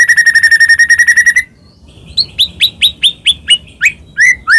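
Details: A gacor white-rumped shama, Medan type with full fills, whose song is played to trigger other shamas. A rapid even trill gives way after a pause to a row of sharp, downslurred whistles about every quarter second.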